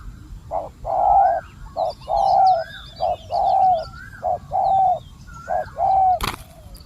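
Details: Spotted dove acting as a decoy to draw wild doves repeats short-long coo pairs, while high twittering of other birds sounds overhead and a sharp click cuts in near the end.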